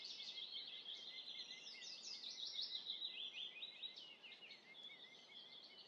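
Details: Arctic warbler song: a continuous, dry, high trill of rapidly repeated short notes, steady for several seconds over a constant background hiss.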